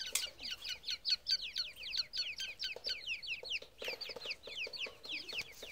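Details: Grey francolin young peep in a rapid, pulsing series of shrill, downward-sweeping notes, several birds overlapping, with light tapping sounds in the background.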